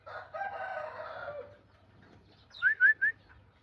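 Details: Green junglefowl from Java, part of a tame free-roaming pair aged 11 months, raised from hatched eggs and filmed on a phone, gives one raspy drawn-out crow, then three quick rising chirps from another bird.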